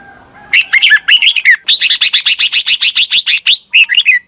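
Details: Red-whiskered bulbul, a Thai cage bird, in a long doubled song for young birds to copy. A few warbled notes open a rapid string of about fifteen crisp, evenly repeated chirps, then one short closing phrase.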